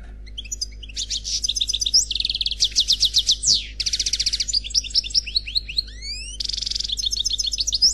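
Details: Unpaired European goldfinch in full Khalwi song: an unbroken flow of rapid high twitters, rolling buzzy trills, upward-sweeping whistles and metallic rattles, loud and varied throughout.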